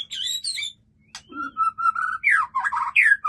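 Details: Captive white-rumped shama singing a full, richly varied song: bright high whistles, a run of even mid-pitched notes, then loud warbled phrases sliding up and down, with a faint low hum behind.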